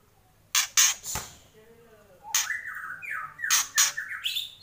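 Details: White-rumped shama, kept songbird, singing in kretekan style: loud rasping broadband bursts in quick pairs, then short whistled notes sliding down and up at mid pitch, interleaved with more harsh bursts. Quiet background.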